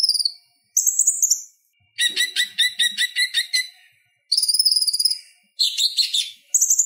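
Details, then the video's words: Purple-throated sunbird, or konin, singing for songbird tutoring: very high thin rattling trills alternating with a lower run of fast buzzy stacked notes, separated by short pauses. "Suara Ocehan Konin Gacor Tajam Ampuh Buat Masteran Kolibri Ninja"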